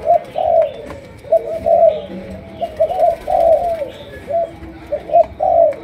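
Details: Spotted dove of Malaysian stock cooing in sấm đồng style, a chiêu gù series. Short hoots and longer drawn notes repeat rhythmically about once a second in a quiet setting.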